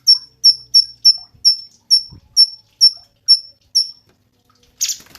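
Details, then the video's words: Cungkok singing, meant to teach songbirds: nine high, slightly falling whistled notes in quick regular succession, a pause, then a brief noisy scratchy burst at the end. "SUARA BURUNG CUNGKOK SUPER GACOR"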